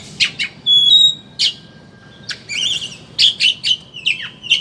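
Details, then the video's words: Oriental magpie-robin, kacer, ngeriwik chattering lure: short buzzy notes, a thin level whistle, scattered harsh chips, then a cluster of loud chattering notes and slurred whistles. "Suara Burung Pancingan Kacer Ngeriwik Agar Ngeplong Buka Paruh"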